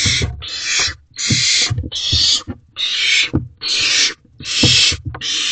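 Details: Barn owl owlets in a nest box during a night food delivery by the adult male, 12 May 2023. Broad rasping screech-hisses in quick succession, mixed with low bumps and shuffling in the box.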